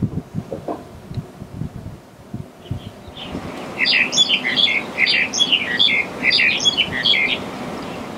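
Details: Black-collared starling calling: after three seconds of low thumping noise, a busy burst of sharp, chattering notes and short whistles begins and runs on unevenly, several each second, to the end.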